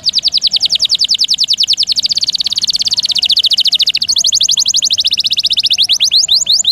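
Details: Canary song for teaching songbirds, long roll with varied bursts: an unbroken fast trill of high whistled notes lasting several seconds, speeding into a dense buzzing stretch, then shifting to slower, sharper downward notes.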